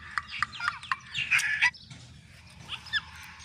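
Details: Pet rose-ringed parakeet with another parrot, vocalising in harsh rasping squawks and clipped bursts, several short notes in the first second followed by a louder grating squawk and a few softer chatters.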